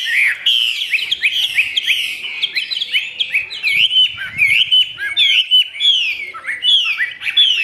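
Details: A Chinese hwamei kept in a cage sings with its tail fanned out, delivering rapid repeated whistled slurs, each dropping in pitch, in a fast rich flowing sequence.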